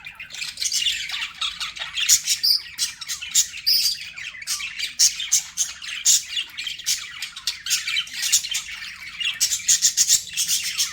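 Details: Pet budgies keep up a continuous high, scratchy warble broken by sharp clicks and short whistled notes, steady for the whole stretch with no pauses.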